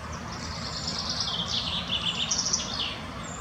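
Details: Female common chaffinch foraging in the Botanical Garden in Munich, giving a busy run of thin, high chirps and short twittering notes packed closely together, over a low background rumble of distant traffic.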